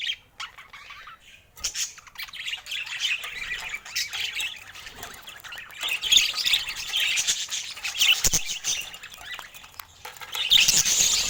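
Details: Pet budgerigars with colour mutations: after a short quiet start, a flock chatters nonstop in shrill, raspy warbles and squeaks that grow louder toward the end.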